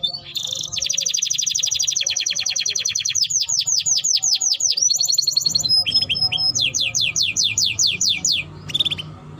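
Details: Singing Timbrado canary delivering long fast trills of rapidly repeated high notes, then chains of steeply falling slurred notes, a short pure whistle and more trilled phrases, over a faint low background hum.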